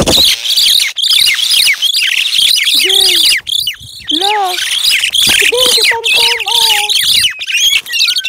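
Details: Pet crested mynas, more talkative when happy, on an outing by a river and fields: continuous dense, squeaky, high-pitched chatter with harsh squawks, broken by a few short whistled, wavering lower calls.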